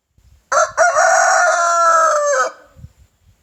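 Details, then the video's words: A rooster crows in the morning: two quick harsh opening syllables followed by a long, steady, rasping held note of nearly two seconds, then a brief low murmur afterward. "Rooster crowing in the morning!"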